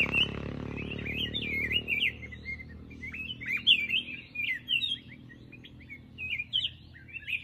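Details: Black-crested bulbul singing a long series of quick, sharp, slurred chirps, repeated several times a second in lively bursts, while a low rumbling noise fades away over the first two seconds.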